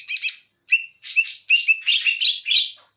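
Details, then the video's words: Banyuwangi greater green leafbird voicing bearded bulbul song material: a buzzy double note, then clearer whistled slurs mixed with scratchy chatter, running into a dense warbling phrase. "Cucak Ijo Banyuwangi Materi Cucak Jenggot"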